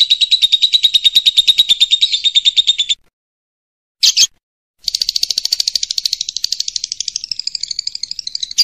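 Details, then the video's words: Lovebird ngekek masteran used to tutor other songbirds: a sustained three-second burst of rapid, high chattering pulses, a brief squeaky note after silence, then a long shrill trill that wavers and rises toward its end. "MASTERAN BURUNG LOVE BIRD TERBAIK / PASTI IKUT NGEKEK"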